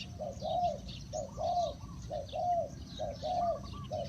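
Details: Decoy spotted dove cooing to draw in wild birds; mellow low coos in a repeating pattern of a short note followed by a longer, falling one, about once per second, against chirps of other birds and a low rumble.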